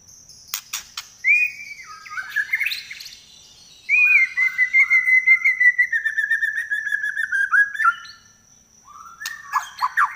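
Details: Trek-style song of a White-rumped shama with a shrill 'nyelit' voice, used to tutor songbirds: sharp clicks, then a falling whistle, a long sweet note breaking into a fast rolling trill of repeated notes, and a final rising whistled flourish.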